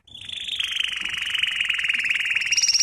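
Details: Canary song from a training lesson: a single continuous rolling trill, slowly falling in pitch, steady and pulsing throughout.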